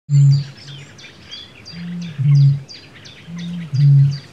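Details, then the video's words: Bittern booming: deep, very low hollow booms repeated in short bursts every second or two, with thin high twittering from other birds above. "Bittern booming"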